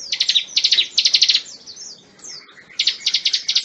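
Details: Bar-winged prinia singing loud, rapid clusters of high, sharp chirping notes in bursts of four or five. A short run of sliding whistles and a quieter pause follow before the chirp bursts resume.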